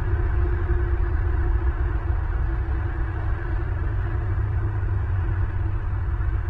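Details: Only a continuous low engine-like drone is heard, deep and unbroken from start to finish, with no animal sound.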